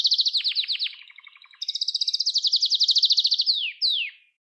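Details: Canary singing, used as a tutor recording for young canaries: a quick rattling trill, a lower softer roll, then a bright fast high trill ending in two loud downward-sweeping whistles.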